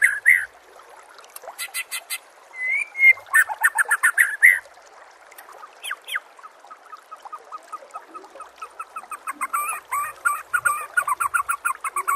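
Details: White-rumped shama, a training recording for captive birds: varied song of clear whistles and slurred notes, then bursts of quick repeated chips and buzzy rattles, steady fast chatter in the second half.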